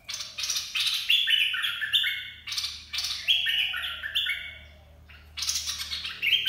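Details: Red-whiskered bulbul's dok taeng song, played to train chicks and lure birds: repeated short phrases of sharp whistled notes stepping downward, about four phrases, a brief pause, then another phrase begins, with a low hum behind.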